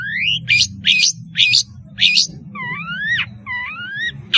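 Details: Long-tailed shrike in lively, sweet-voiced song, used as a lure for spotted young birds learning calls: harsh buzzy bursts alternating with smooth rising whistled slurs repeated about every half second, low steady hum beneath.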